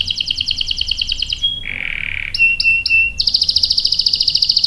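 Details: Canary song meant to make other canaries answer: a fast pulsing trill, a lower steady whistle, three short buzzy bursts, then another rapid rattling roll.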